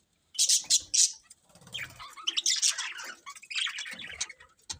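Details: Budgerigars chirping: three sharp high squeaks open, followed by a busy run of fluttering warbles and chattering notes that gradually thin out.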